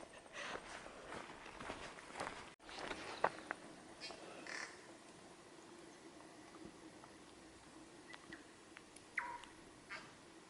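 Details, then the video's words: A tui sings near a hiking track to a river in the North Island ranges, New Zealand: harsh, rasping croaks broken by a few brief, clear ringing notes, over steady wind and movement hiss. "That bird you can hear is a tui."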